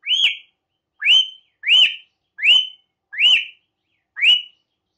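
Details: Asian pied starling (Gracupica contra) from a training recording used to stir caged birds into singing: one rising whistled note with a short flat tail, repeated six times about every 0.8 seconds in an otherwise quiet background.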